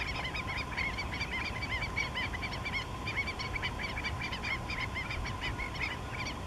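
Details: Four Black-necked Stilts in courtship display at a salt pond in southern Honduras, 29 April 2013, give sharp, yapping kek notes in fast, overlapping runs over a steady low rumble.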